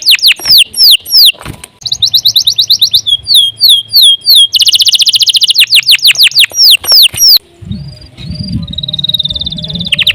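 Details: Canary singing a long, continuous song meant for tutoring other birds: rapid bright trills of repeated downward-sweeping notes, switching phrases every second or two, then a softer warbling passage over a low hum near the end.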